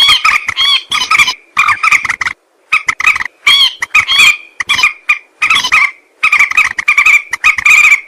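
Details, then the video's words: Common moorhen calling, recorded for use as a hunting lure: grating, croaking notes packed into bursts of about a second, with a few silent breaks between runs. "Moorhen bird hunting voice 2024 | Moorhen birds best sound | Jal morgi ki awaz"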